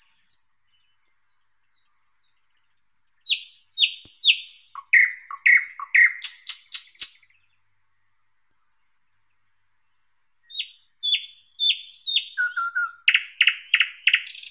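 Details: A long thrush nightingale song: repeated falling whistled notes, a run of harsh clicking strokes, silence, then another phrase of descending whistles ending in a loud rapid rattle.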